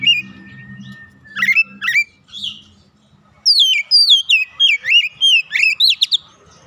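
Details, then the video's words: In a training session, a young oriental magpie-robin sings actively and shows its learned filler song. Scattered whistles and chips over a low hum at first, then a fast, regular run of falling, ringing whistled notes. "Kacer bahan langsung gacor bongkar isian"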